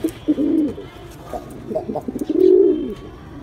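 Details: Pigeon giving low, hollow coos, one short and one longer swelling coo, with soft clicking and flutter-like sounds in between.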